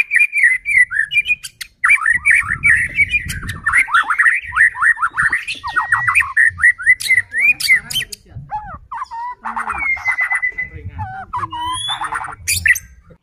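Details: Lure song of a white-rumped shama, meant to rouse other shamas to sing and become agitated: dense, fast run of chattering, sweeping whistles with brief pauses, over a steady low rumbling background.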